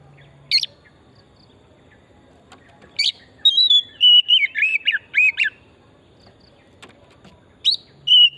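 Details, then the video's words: Oriental magpie-robin singing hard, 'pesona hutan murni' style, as a singing lure: single sharp notes, then a long series of whistles stepping down in pitch with wavering slurs, followed by a quiet stretch and two more bright whistles. "Pancingan burung kacer pesona hutan murni gacor"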